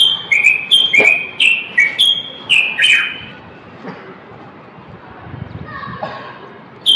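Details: Moroccan common bulbul male in full song to stimulate males and prepare females for mating: a lively series of about eight clear whistled notes alternating pitch, then a quieter pause with faint background sounds.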